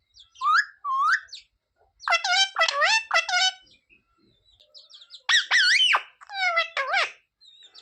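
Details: Parrot voicing human phrases such as jay shree ram and sita-ram, indoors: short rising syllables, a cluster of looping harmonic word-sounds, and later loud arched notes with softer chatter.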